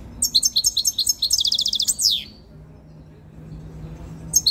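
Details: Tame European goldfinch coming into breeding condition sings near the camera: a string of high chirps speeds into a quick buzzy run ending in a down-slurred note, then silence before a new phrase begins.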